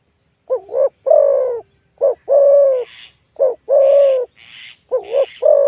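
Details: Spotted dove (Spilopelia chinensis), apparently a male kept for cooing, gives deep, hoarse coos in short phrases, each ending in a longer drawn-out note, about one phrase a second; faint chirps from other birds behind.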